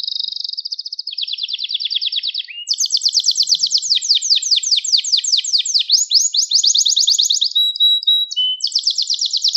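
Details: Gloster canary song used to stir up and train young canaries: a continuous chain of rapid trills, each tour of repeated notes changing pitch and speed, clear with no other sounds.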